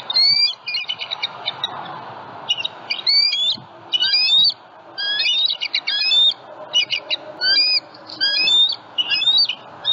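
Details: Bald eagles at their Southwest Florida nest with eggs, morning of 27 February 2020, filmed by a live nest camera while a juvenile flies over; a run of high, squeaky chirped notes in repeated bursts roughly every second.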